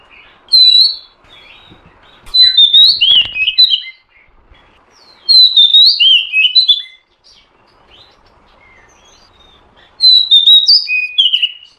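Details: Oriental magpie-robin female giving calls meant to make a male sing and come into breeding mood: four separate bursts of sweet whistled, slurred notes, each about one to two seconds, with a few clicks and knocks early on.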